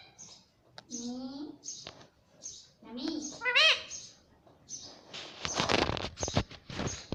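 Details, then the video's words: Indian ringneck parakeet, a pet talking parrot, at home: voice-like mimicked syllables with stacked rising tones, short high chirps between them, and bursts of broadband rattling noise in the second half. "Mitthu Mitthu Bolne Wala Batuni Tota - Talking Parrot"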